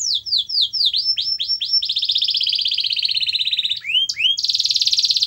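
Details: Domestic canary song meant to prompt a silent canary to sing. It opens with descending slurred whistles, runs into a long rapid buzzing trill, adds two swooping notes, then ends in a bright fast rattle.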